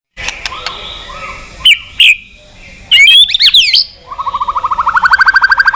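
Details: White-rumped shama calling a rival: scattered sharp whistles and slurred notes, then a rapid run of rising, evenly repeated notes that speeds up toward the end.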